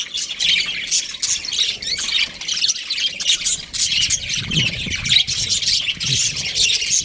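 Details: Chattering from a breeding pair of budgies, steady scratchy high warble with clicks and squeaks, a few faint low thumps in the background.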